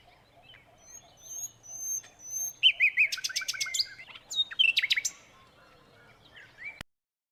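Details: A silvereye in New Zealand, eating an apple, gives thin, high whistled notes, then a quick burst of sharp chirps and falling twitters, about two to three per second.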